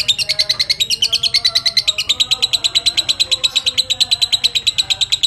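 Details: Lovebird, fighter type, chattering its long ngekek to provoke other lovebirds and train other birds. Evenly repeated shrill clicks pour out at a fast, steady pace, with quiet whistled notes far behind.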